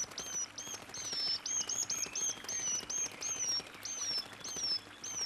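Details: Brown dipper chick beside a parent at a Korean river, begging loudly for food, gives thin, high, slurred whistles repeated two or three times a second over steady rushing water.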